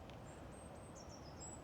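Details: Four or five goldcrests in conifers at Mount Edgcumbe Country Park on a misty morning give very high, thin, needle-like notes in a short scattered series over a soft low rumble of outdoor background noise.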